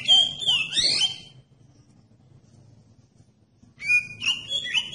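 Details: Kacer, the oriental magpie-robin, singing to spur other birds of its kind into song: twisting whistled phrase with fast swoops, a long silence, then a steady whistle followed by rising, wavering notes.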